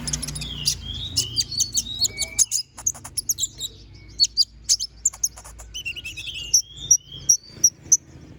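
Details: Konin bird, kept as a songbird, singing a lively, varied song used as training material for magpie-robins: high, sharp, repeated chips and quick whistled slurs, with several short gliding notes and steady chip series near the end.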